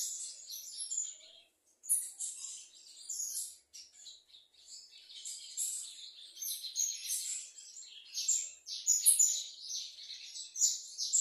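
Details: Bananaquit or plumbeous seedeater giving a busy string of short, high, chattering and whistled notes in irregular bursts, growing denser and louder toward the end.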